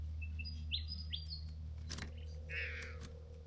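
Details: Two young bowerbirds at their bower, excited at discovering blue objects and dancing. One gives a quick run of short rising whistled chirps, then sharp clicks and a harsh buzzy rasp, over a steady low hum.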